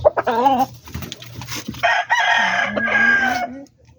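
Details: Backyard chicken, rooster crowing: a harsh, drawn-out crow with a falling tail, after a few short clucks at the start, with low background hum.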